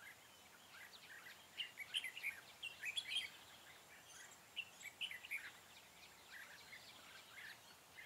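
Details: Red-whiskered bulbul with a long scaled crest, singing 'ché' style at a trapping site on 4 February 2017. Quick runs of sharp whistled chirps come in two bouts and then fade, leaving only quiet ambient hiss.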